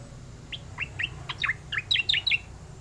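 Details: Oriental magpie-robin in energetic rolling song: a quick run of sharp, varied whistled notes, some rising and some falling, delivered in tight bursts over low background hum.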